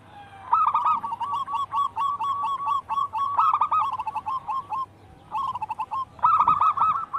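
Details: Local wild zebra dove singing persistently. A recording meant to lure birds and train captive doves to sing: a long steady string of clipped coos, then rougher rapid bursts, a brief pause near five seconds, and a final loud run.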